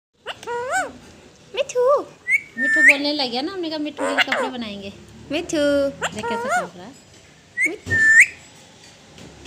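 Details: Pet parrot talking: a run of short voice-like syllables with harsh, nasal tones and several bright rising whistled notes between them, indoors.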